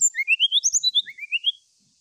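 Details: Brown-chested jungle flycatcher singing to seek a rival: a fast run of clear whistled notes sliding upward in steps from mid to high pitch, about fourteen notes in one and a half seconds, then silence.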